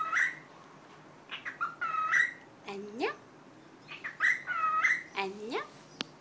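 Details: Pet cockatiel saying hello in Korean, 'annyeong': bright whistled syllables in short phrases, alternating with lower voiced sounds that glide steeply downward, twice in the passage, then a single sharp click at the end.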